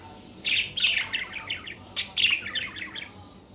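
Budgerigar warbling in two bursts of fast, scratchy chirps and chattering notes, high-pitched and jumbled, with a brief pause between.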